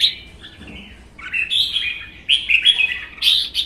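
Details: Two caged red-whiskered bulbuls in a singing duel, one wild-caught after a season in captivity: a sliding note, then bubbly, whistled phrases that rise and fall in quick runs.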